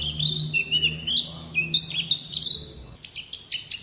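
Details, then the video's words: A white-eye (Zosterops, pleci ngalas) sings a fast, tumbling stream of thin, high twitters and warbled notes, with quick slurs and no pause, over a faint low hum. "Suara Burung Pleci Ngalas || Zosterops Sounds"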